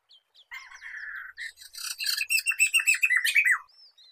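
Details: Black-throated laughingthrush sound meant for luring and training songbirds: a steady, buzzy note held for a second, then a loud, rapid series of scratchy, downward-slurred notes, closing with soft high whistles.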